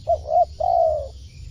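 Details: Spotted dove coo, used to call in wild birds: a quick pair of soft hooted notes leading into one drawn-out, gently descending coo, with a constant low rumble beneath.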